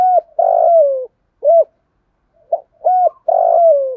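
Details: Spotted dove of the thổ pha đồng voice style giving fighting-challenge and calling coos: loud, hoarse cooing notes, short ones alternating with longer falling drawn-out coos, in two similar series.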